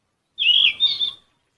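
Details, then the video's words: Yellow-rumped flycatcher recorded near Bogor: a single short phrase of clear, slurred whistled notes, a longer warbled note followed by two quick higher notes, with no other sounds. "Yellow Rumped Flycatcher"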